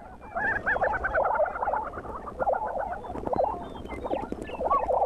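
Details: Several lesser prairie chickens call together in the Southern Great Plains near Buffalo, Oklahoma, in 2009. Rapid wavering, gobbling notes overlap in bursts, with short pauses and a few sharp clicks mixed in.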